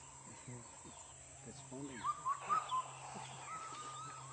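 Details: Indian cuckoo (Cuculus micropterus), call.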